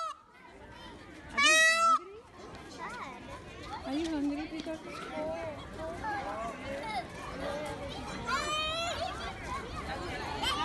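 A peacock gives one loud, brassy, nasal scream early on and a fainter one near the end, over steady chatter of children and adult voices.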